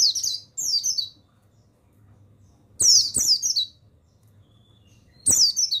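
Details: Male Bustomi mountain white-eye used as a tutor recording to train other white-eyes: three bursts of thin, high, rapidly descending twittered notes, separated by pauses, with sharp clicks at each burst and a low steady hum.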